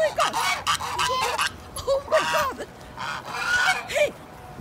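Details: Four geese greeting a person with necks stretched, wanting food: loud, harsh, rasping honks in quick overlapping bursts with short pauses, some calls bending downward at the end.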